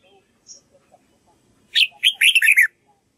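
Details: Red-whiskered bulbul practising its song, a quick burst of a sharp opening note and four bubbling, slurred syllables, preceded by faint scattered ticks and soft background sounds.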